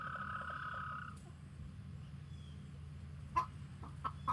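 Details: Chicken warning the flock: the tail of a long, harsh sustained alarm cry, followed by a quiet stretch and then several short sharp clucks, with low background hum throughout.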